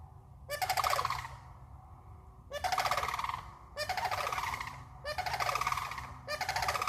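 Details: Sandhill cranes in a Florida swamp, calls echoing: loud, rolling, rattling bugled calls in repeated bursts about every one to two seconds, several birds overlapping, with a low steady background hum.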